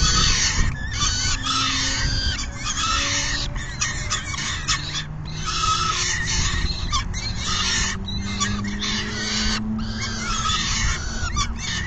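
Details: Peregrine falcons at their nest on a June 2022 afternoon, one feeding fully as the other leaves. Choppy bursts of hoarse, scraping calls alternate with short silences above a deep rumble.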